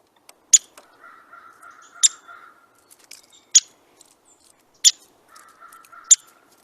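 Downy woodpecker giving sharp single pik notes about every one and a half seconds, between rapid whinnies of rattling notes that drop in pitch at the end.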